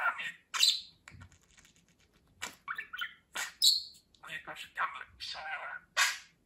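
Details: Talking budgerigar mixes scratchy speech-like syllables with sharp high chirps and short squawky notes, separated by brief gaps.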